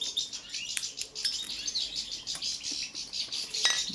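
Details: European goldfinch of the subspecies balcanica singing a bright, fast twittering song of high chirps and buzzy trills, with sharp clicking taps throughout.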